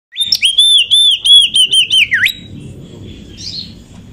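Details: Oriental magpie-robin, a female kept as a lure bird, singing to stir up other magpie-robins. A fast series of loud, clear whistled notes with warbled inflections, ending in a deep downward swoop, then fading to quiet background noise.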